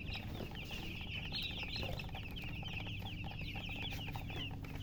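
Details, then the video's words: Loud chirping from newly hatched chicks: an unbroken stream of high, downslurred peeps from many birds at once, layered over a constant low hum. "Tot Murgi chicks chirping sounds Just Born Baby Gallina FRACAS Chicks Piar Loudly Sound"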